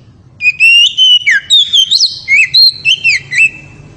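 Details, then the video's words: Loud ngeriwik song of an oriental magpie-robin, kacer, said to excite the female: a continuous run of clear whistled notes, slurred up and down, roughly four notes a second. "KACER NGERIWIK HEBAT SEKALI BIKIN BETINA NGEPLONG"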